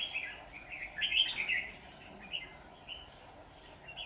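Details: Decoy red-whiskered bulbul in a trap setup on 23 September 2019, singing to draw in wild rivals: quick, bright, chirpy warbled notes clustered in a loud burst near the start, then sparser phrases over a humming background.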